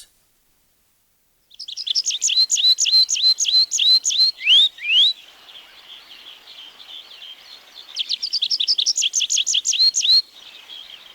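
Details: Tree Pipit song from the forests of Wielkopolska National Park, Poland, recorded 1990: a quick series of sharp repeated notes that speed into a trill with two rising slurs, a pause of soft buzzing, then a second run of repeated notes.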